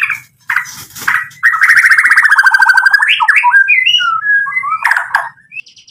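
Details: White-rumped shama, a singing male used as a lure to provoke other birds to answer: sharp chips, then a long loud rattling trill, then a run of clear varied whistles sliding up and down.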